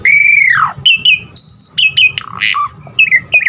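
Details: Asian pied starling song to teach caged birds: a long downward-bending whistle, short clipped whistles, a high held tone, then lower gurgling and slurred notes.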